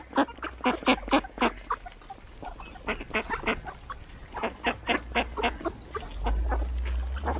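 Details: Mallards quack in quick, rasping bursts at a morning feeding as the flock arrives, about four a second, several birds overlapping in uneven runs over a low steady rumble of wind or water.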